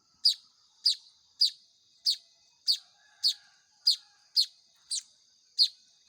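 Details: Manyar weaver chicks during hand-feeding, producing ten bright, high chirps at a fairly even pace of about two per second, over faint steady high hiss.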